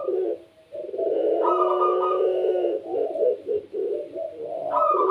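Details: Lively-calling pelung-type Barbary dove, a seed-eating cage bird, delivers long, continuous low coos in a thick blended stream, a brighter upper tone joining midway and again at the end.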